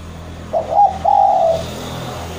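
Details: Javanese spotted dove calling to a rival: one low, soft coo phrase beginning with a quick broken note and ending in a long sustained coo, over steady background hiss.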